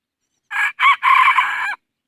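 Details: Rooster crowing: two short harsh opening notes followed by a long, loud, strained drawn-out note, all in a single crow lasting just over a second against silence.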